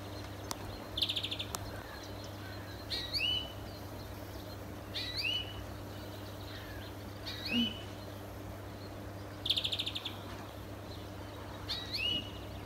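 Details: European greenfinch singing in a neighbour's garden, alternating drawn-out nasal wheezes that rise in pitch with short, rapid, high trills. Phrases come every two seconds or so, with a constant low electrical hum underneath.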